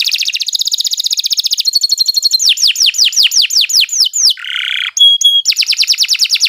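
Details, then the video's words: Sharp canary song: rapid rolling trills, a series of descending slurs, a low rasping burst, clear whistled pips and a closing fast trill. "Kicau Burung Kenari 114 II GACOR PANJANG Cocok untuk Masteran"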